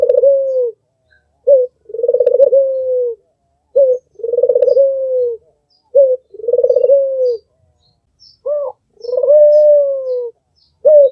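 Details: Red-eyed albino Barbary dove giving repeated coos, each a short introductory note followed by a longer rolling phrase, about five sequences with short silent gaps in a quiet indoor setting.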